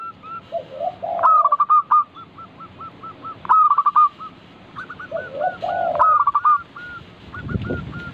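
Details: Vigorous local zebra dove song used as a lure to make other doves sing. Repeated phrases of quick stuttering notes trail into short, even coos. These alternate with lower, throaty rolling notes, and a soft thump comes near the end.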